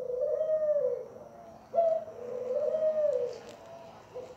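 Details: Domestic Barbary dove song, two soft rolling coos with a brief rising note between them, recorded in a quiet room with low background hiss.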